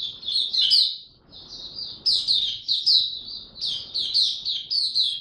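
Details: Oriental white-eye songbird, getting into form with its 'buka tiong aw' singing, pours out high, thin, rapid twittered notes in three fluent phrases separated by brief dips, over a faint low background.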